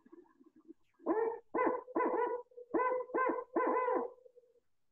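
A Barred Owl gives six rich, throaty hoots in a rolling cadence, after a brief soft murmur; the rhythm suggests the familiar 'who cooks for you' phrase.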